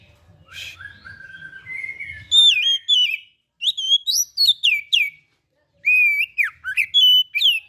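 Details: Oriental magpie-robin (kacer), a caged songbird, in full loud song: clear whistled phrases, sliding and warbled notes in bursts separated by short pauses, with a faint low hum early on.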